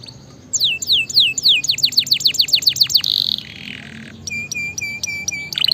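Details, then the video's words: Canary song intended to get a lazy canary singing: a run of sharp downslurred whistles about three per second, a soft buzzy passage, then repeated flat metallic notes. "suara masteran dan pancingan burung kenari gacor"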